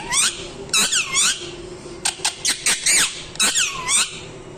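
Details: Loud piercing parrot squawks, arched notes falling and rising in clusters of two or three, with quick clipped chips in between and a faint low hum underneath.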